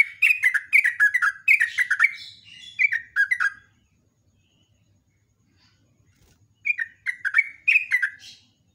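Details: Yellow-vented bulbul, recorded live in the morning for use as a lure, pouring out a long rapid song of bubbly, down-slurred chirps about three per second in two bursts separated by a quiet pause.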